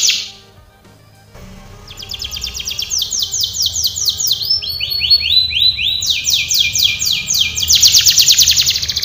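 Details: Canary training song opening with a brief high burst and near silence, then building tours of rapid arched whistled notes that step in pitch and grow louder.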